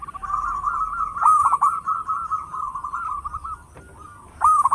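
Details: Loud local zebra dove kept as a lure bird sings a long, unbroken, wavering trill of fast cooing notes at a steady mid pitch, briefly pausing before a louder burst at the end; faint clicks in the background.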